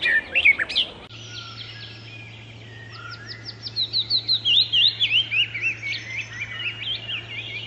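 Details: Wild Icterine warbler: a short burst of squeaky notes, then after an abrupt cut a long series of quick, evenly repeated high upslurred chirps, about three per second, blending into twittering.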